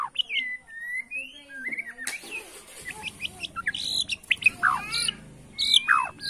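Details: A Bornean white-rumped shama singing in a bowing posture, said to provoke rivals, gives a rich, varied song of clear whistles, sweeping slurs and sharp chattering notes, with a low hum and other faint bird sounds behind.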